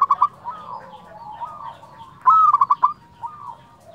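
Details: Local zebra dove giving its fluting 'nyuling' song: one strong whistled phrase trailing into four quick staccato notes, surrounded by fainter cooing of further doves.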